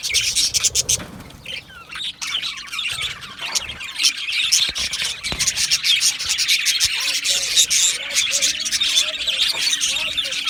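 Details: Many Australian budgerigars in an aviary chatter with fast high chirps, squeaks and some short rising and falling whistled notes, the flock calling constantly throughout.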